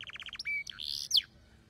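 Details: Canary song over a female's mating call: a quick run of five pulsed notes, then a steady whistle, a rising sweep and a sharp falling note.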